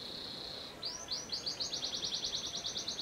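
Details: Panda canary holding a steady thin whistled tone, then switching to a quickening series of short rising notes repeated several times a second.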